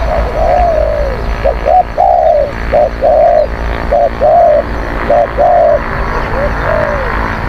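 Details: Fierce-cooing spotted dove used to lure wild birds delivers a rapid series of mellow coos, short clipped notes alternating with longer arched ones, nearly continuous, over a low background hum.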